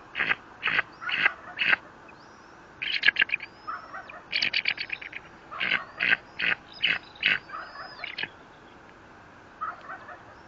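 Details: Bald eagle at its nest at the Fort St. Vrain site, caught by a nest camera on 18 April 2024: loud bursts of sharp, staccato chattering notes in quick runs that pause and resume, with thin high whistles and a steady background hum.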